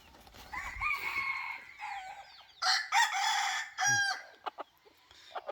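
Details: Decoy rooster, 2023-2024, gives a long drawn crow and then a second, louder crow with a harsh, strained ending. Short clucking notes follow, and faint chirps sound in the background.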